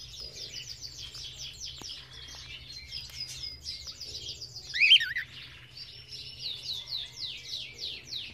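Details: Belgian canaries in an aviary: quick series of high, thin downward-sweeping notes repeated in runs, with a louder rising-falling whistle midway and other birds chirping in the background.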